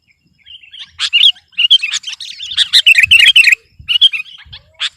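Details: Sooty-headed bulbul singing energetically to dominate a rival, pouring out a dense run of chirpy, bubbling notes and short warbled phrases with hardly a pause, ending in a few separate sharp chirps.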